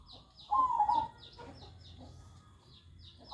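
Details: A single quavering coo phrase from a zebra dove, brief and trilled with a gentle downward slide, followed by quiet; soft high chirping from other birds ticks along behind it.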